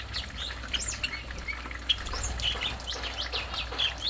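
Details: Stripe-throated bulbul singing: a run of short bright whistled and chirping notes, some rising and some falling, scattered through the clip over a low steady hum and faint background noise.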